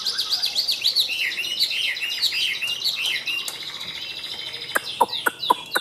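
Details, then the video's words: A Chinese hwamei sings high and loud, a rich, fast run of looping whistled phrases, rising and falling, ending in sharp clicking notes near the close. "Họa Mi Tam Hoàng - Hót Cao Cầu"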